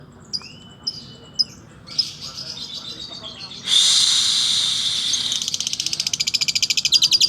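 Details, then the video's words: Lovebird in slow ngekek style: a few thin high notes at first, then from about four seconds a loud dense high chatter that breaks into rapid, evenly pulsed notes, with faint voices in the background. "Love bird slow ngekek"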